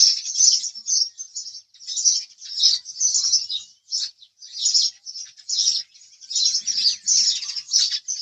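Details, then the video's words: House sparrow chirps, clipped and bright, delivered in quick uneven bursts of two or three notes with short pauses between, steady high chatter throughout. "house Sparrow Chirping Sound"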